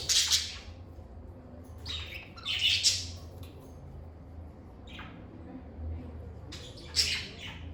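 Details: Pet lovebirds in a calm indoor setting give harsh, buzzy chirps in short bursts spaced a second or two apart, with quiet gaps between them and a faint low hum beneath.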